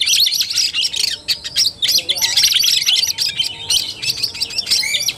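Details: Kacer tarung fighting song by an Oriental magpie-robin, 17 August 2021: sustained rapid chattering and twittering with layered high whistles, broken by a few brief pauses.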